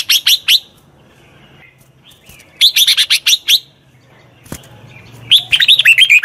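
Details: Red-whiskered bulbul song from a wild-caught bird being trained: short bursts of sharp, fast chirping notes, then a longer run of quick whistles and a closing warbled phrase, with a faint low hum and a click.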